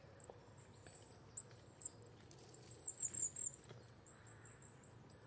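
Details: Coal tit with a steady stream of very high, thin chittering notes, denser in the middle, against a faint low hum.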